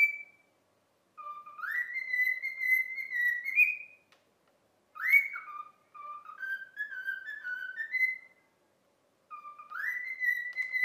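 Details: Cockatiel kept as a pet whistles a tune taught by daily repetition, "If You're Happy and You Know It": bright, harmonic-rich whistled phrases that open with upward swoops, separated by brief silences, in a quiet room.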